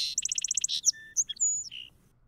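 Song Sparrow song: a fast series of about seven bright buzzy notes, then a jumble of whistles, trills and downslurred notes at varying pitches.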